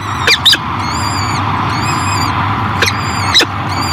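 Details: At a Great Spirit Bluff nest in 2023, a female peregrine falcon feeds her new hatchlings. Paired loud harsh notes frame repeated thin, wavering high peeps, over a continuous low background hum.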